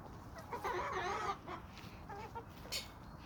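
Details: Homestead flock of chickens and roosters on a small suburban homestead with sandy soils: a drawn-out harmonic squawk lasting under a second, followed by a few short soft clucks and a brief high chirp.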